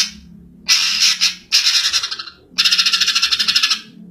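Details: Greater green leafbird giving three harsh, buzzy, rapidly pulsed bursts, the last a fast rattling series of about fifteen pulses, with short pauses between bursts and a quiet low hum beneath.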